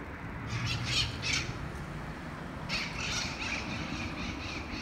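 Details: Harsh, grating squawks from a feral parrot flock in Costa Mesa Eastside on 11 May 2019, coming in two quick bursts of several rasping calls each, over a low rumbling background.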